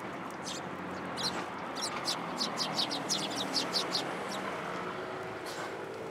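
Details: Sparrows arriving to be fed at Tenmangu shrine on 27 December 2022: a run of short, high chirps in quick succession over steady background hiss, louder toward the middle.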